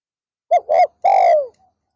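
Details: Spotted dove kept as a decoy to lure wild doves during an afternoon session: two short, rounded coos followed by a long, drawn-out coo that slides gently downward, then quiet.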